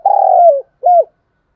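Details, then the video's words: Close spotted dove kept as a lure for wild doves: a long, rolling, slightly falling coo followed by one short arched coo. "tiếng chim cu gáy mồi thúc và gáy gọi bổi new nhất, dùng kích bổi tập mồi"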